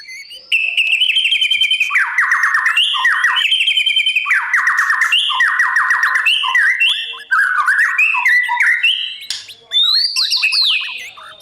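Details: Dawn song of a white-rumped shama in voice training for competition: a long, loud, continuous run of fast warbled phrases, rapid stuttering trills and swooping whistles, briefly pausing twice, with faint chirps of other birds behind.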